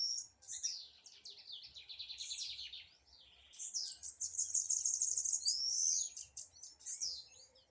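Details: Blue-black grassquit singing in a dispute: dense, high, buzzy trills and chirps in overlapping bursts, with a bright rising whistled slur near the end and quiet background between phrases.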